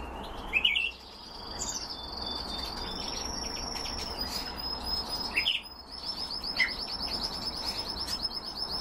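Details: Singing canaries kept for breeding: short bright chirps, then a held high whistle, a brief break, and a quick high trill of repeated notes, over a low steady hum.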